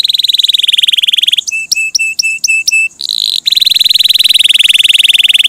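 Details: Canary singing: long fast buzzy trills around a flat steady pitch, broken by a short series of evenly spaced flat notes.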